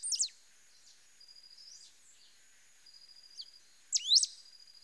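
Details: Pale-throated pampa-finch singing a sharp whistled phrase, then soft flat buzzy notes and a chip, ending with another loud burst of quick rising and falling whistles.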